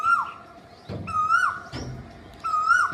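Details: Cuckoo repeating a strong whistled note that stays level and then drops at the end, three times, with dull knocking thumps between the calls.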